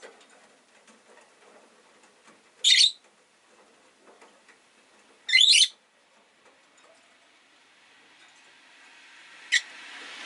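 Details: Shrill, scratchy chirps from rosy-faced lovebirds in a window-side cage, three calls spaced several seconds apart, with a low, rising street hum building behind them toward the end.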